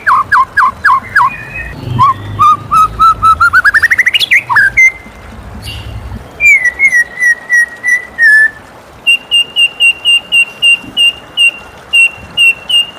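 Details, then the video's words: In the morning a white-rumped shama sings a long sequence: rapid upswept notes accelerating into a trill, a drawn-out level whistle, then steady repeated high ticking notes. "suara merdu murai batu di pagi hari"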